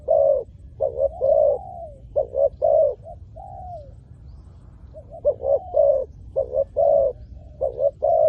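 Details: Spotted dove cooing to lure wild doves: choppy series of deep, hoarse notes in pairs, broken by long sliding falling coos and a short silent gap midway.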